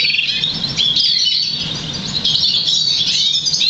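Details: A 50% variegated crested Black Siskin × Russian Canary mule, bred August 2009 and trained to sing European Goldfinch notes, sings a fast unbroken stream of bright high twittering and trilled phrases over a faint low hum.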